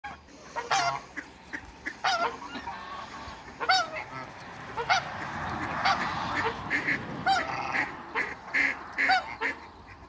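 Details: A pair of large African geese giving loud, harsh, nasal honks, many in quick irregular bursts, some doubled. Other noisy waterbird calls and a steady background murmur run throughout.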